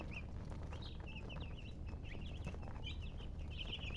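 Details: Colour chickens (murgi) giving rapid, high, wavering chirps and trills that grow busier and overlap toward the end, against a heavy low hum of background noise.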